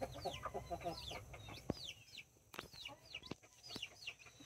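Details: Two hens and their nine chicks, Brahma and mini breeds, on October 24, 2024. Opens with a quick series of low pulsing clucks, then repeated high, downward-curving chick peeps and a few sharp knocks.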